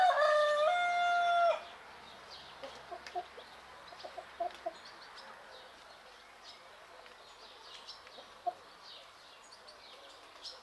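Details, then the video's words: Rooster in Greek nature on a morning farm: a single strong crow opens the recording, a stepped, harmonic call held about a second and a half, followed by quiet background with scattered faint clucks and chirps. "Roosters crowing in the morning"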